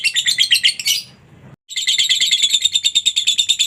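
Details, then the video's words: Lovebird ngekek song played as masteran to encourage other lovebirds to sing: fast, high, buzzy chatter of rapid pulses, a short pause near one and a half seconds, then the dense rattling trill resumes steadily. "masteran suara Lovebird ini mampu membuat Lovebirdmu gacor"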